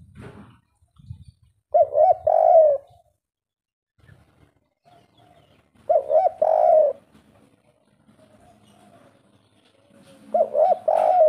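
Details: A native wild-type spotted dove in 'kuk 3' style repeats its hoarse three-note cooing phrase three times, roughly every four seconds, with faint tapping and background murmur between phrases.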